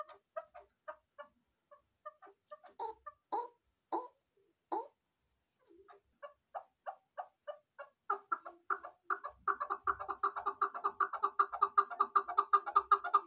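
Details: Shekari chukar partridge giving spaced clucking notes that pause, resume and then quicken into a dense, rapid chattering chorus with overlapping repeated notes.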